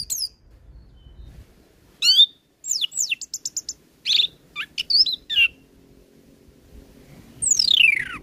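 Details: Orange-headed thrush singing richly as training material for a young bird: spaced bright whistled notes, a quick run of clipped chirps, then a long descending slurred whistle near the end, with quiet gaps between phrases.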